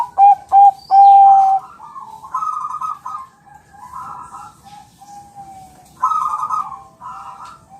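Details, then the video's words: Zebra dove of the Bangkok type, a champion bird used as a master recording to make other birds answer and sing. Three sharp clipped notes and a level whistled coo open, then bursts of rolling, trilled cooing alternate with soft single coos. "Suara perkutut bangkok juara masteran ampuh bikin langsung nyaut gacor"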